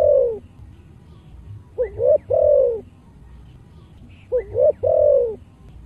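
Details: Deep-voiced spotted dove giving a chiêu–thúc–gù song in thổ style to excite other doves: a falling coo tail, then two complete phrases of quick double coo followed by a long mellow coo, separated by short pauses.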